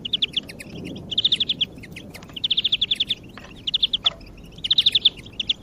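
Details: Greenfinch song for motivating other birds: dense, fast trills of bright ringing notes in runs lasting about half a second, one after another with short gaps, plus faint background rumble.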